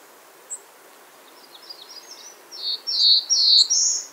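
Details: Faint, high ticking notes from a Bay-breasted warbler build into a loud series of piercing, high slurred notes that rise at the end, with background hiss.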